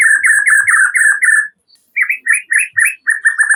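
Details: White-rumped shama singing as a lure for an untrained bird: about six quick identical chirping notes, a short silence, then varied upslurred notes and another fast repeated series.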